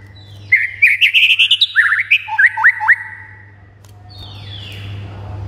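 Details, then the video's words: White-rumped shama song used to stir quiet shamas into excited singing: a quick burst of climbing whistled trills and sharp downward sweeps lasting about two seconds, then a faint downslurred note over a constant hum. "99% BIKIN MURAI BATU MANDEK SEKETIKA NYAUT GACOR & NAIK EMOSINYA"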